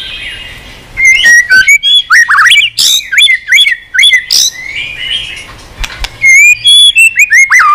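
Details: Stimulated white-rumped shama sings in many strange voices, giving a quick stream of whistles, chirps and raspy squawk-like notes, then a closing series of clear repeated whistles.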